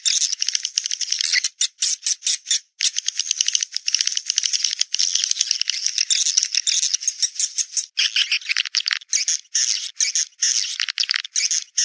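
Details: Swiftlet sound of the Naga Merah style, played to lure swiftlets to their nests: a dense, buzzy, rattling twitter of rapid chirps, running in long bursts broken by short gaps.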